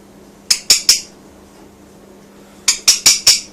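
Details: Rainbow lorikeet kept as a pet inside a small room, uttering two short runs of sharp, piercing chirps, three then four, each note snapping on and fading quickly, with near silence between runs.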